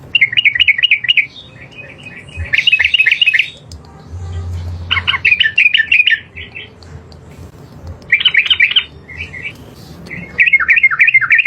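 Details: Yellow-vented bulbul (trucukan) in a tutor recording of its long 'ropel panjang' song for training other birds. Loud, bubbly, rapidly repeated warbled notes come in bursts of one to two seconds with short pauses between them.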